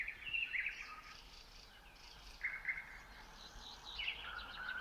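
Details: At 3 a.m. on 27 May 2018 near Red Hill, Moscow region, a common nightingale gives short rich whistled phrases and brief trills with gaps between, over faint background birdsong.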